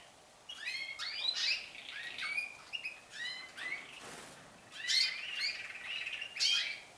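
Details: Several canaries, which are beginning to sing more often and for longer, pour out a fast overlapping stream of bright chirps, trills and high rising and falling notes.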